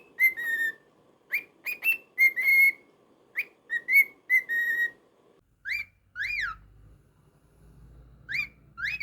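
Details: Pet cockatiel whistling a quick series of bright level notes, then switching to sharp up-and-down swooping chirps spaced apart, with a low rumbling hum underneath in the later part.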